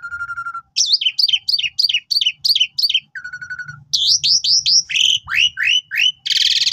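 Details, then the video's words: Singing Asian pied starling used as a master for new birds: a steady low whistle, then a fast run of repeated sharp chirps about three per second, another low whistle, more chirps and a closing buzz. "Jalak Suren Gacor Mompa Cocok Buat Masteran Burung Jalak Suren Baru"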